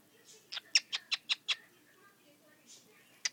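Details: Pet cockatiel talking, repeating "sweetie" and "sweetie bird" in a quick run of scratchy, high-pitched syllables that copy human words.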